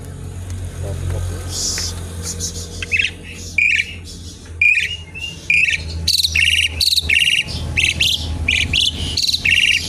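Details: Asian pied starling singing a busy, lively song kept as a lure and to teach other birds: harsh chattering bursts mixed with whistled notes, growing louder and denser in the second half, over low background hum.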